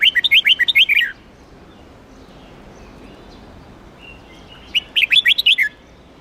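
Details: Huế-strain red-whiskered bulbul, its contest-training song meant to stir up newly caught birds: two lively phrases of seven or eight warbled, whistled notes each, about four seconds apart, with faint background hiss between them.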